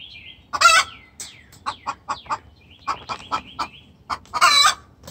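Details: Hen vocally calling the rooster in distress, opening and closing with loud raspy squawks and filled between by quick clipped clucks; small birds chirp and twitter in the background.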